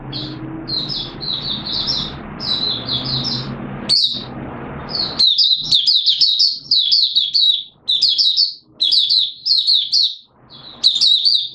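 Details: Malaysian Oriental white-eye singing its 'buka sing' in warm, humid Singapore on 29 March 2023, a day of sudden showers; a steady low rushing background at first, then thin high chirping notes running into fast, lively warbled phrases.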